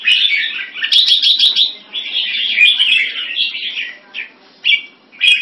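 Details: Red-whiskered bulbul singing in a competition in Singapore, a bird recorded on its first win: bright warbled phrases between about two and four kilohertz, a long run of rapid chattering notes, then short bursts after brief pauses.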